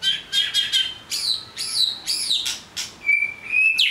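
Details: Song of a white-rumped shama, mixing rapid high chirps and bright rising-falling whistles with harsh broadband notes, ending in a long level whistle and a sharp burst.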